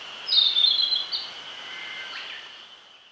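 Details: A Narcissus flycatcher on the Nishi-Zao highlands, Yamagata, Japan, gives one quick, bright, high warbled phrase of about a second over a steady, high, insect-like whine.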